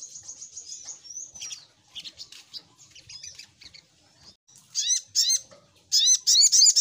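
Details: High chattering from a sogok ontong, or little spiderhunter, used as a lure sound. Soft rapid chips build into loud, hooked, upward-sweeping whistles repeated several times near the end.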